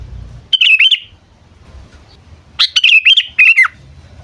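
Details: Sooty-headed bulbul lure call for attracting birds: a brief chirpy phrase, a pause, then a longer string of lively whistled notes ending in a downward slur.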